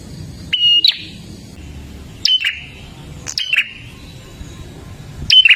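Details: Olive-backed tailorbird in gacor dor song, used to get caged birds singing: four loud, sharp two-part notes with a ringing whistled tail, spread unevenly over a few seconds.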